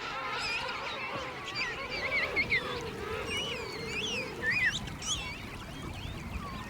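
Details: King penguin colony of about 3,000 pairs with their fluffy chicks, huddled in snow below mountains at Fortuna Bay in a calm scene: many overlapping trumpeting, honking calls rising and falling in pitch over a steady crowd murmur.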